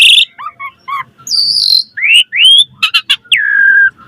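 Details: Asian pied starling singing to lure other starlings: low chuckling notes, a rising pair of whistles, sharp clicks, and a long whistle dropping in pitch.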